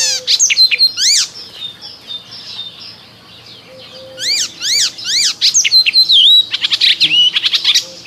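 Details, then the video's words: Icterine warbler singing in spring, a lively varied stream of sharp high chirps, repeated downward slurs and wavering whistles, ending in a rapid run of scratchy notes, with distant birds behind. "Zaganiacz Wiosenny Ptaków Śpiew"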